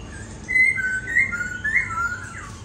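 A laughingthrush sings a run of clear, rich whistled notes that slide up and down in quick succession, with a slight indoor echo.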